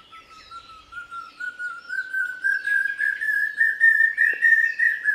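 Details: Common hawk-cuckoo calling in the Konkan region of India: a series of clear whistled notes repeated in quick succession, climbing steadily in pitch and growing louder over five seconds, with faint high chirps of other birds behind.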